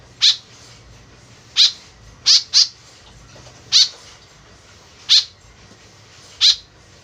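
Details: White-breasted woodswallow lure calls: seven short, scratchy high notes, some in quick pairs, most spaced over a second apart, loud against soft background hiss.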